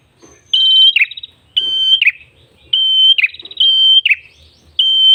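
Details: Red-headed tailorbird singing for a bird-luring recording: loud, piercing whistles on a steady pitch, each closing with a downward flick, repeated about every second, some opened by rapid pulsed notes.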